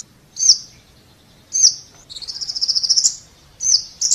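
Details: Scarlet-backed flowerpecker: two sharp high chips, then a long buzzy trill of rapidly repeated ticks about one second long, followed by more chips.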